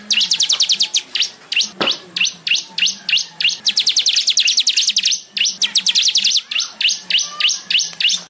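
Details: Weaver (manyar, Ploceus) giving a dense, rapid chattering song of high, sharp repeated notes, about three per second, continuing steadily with slight variation and a low background hum.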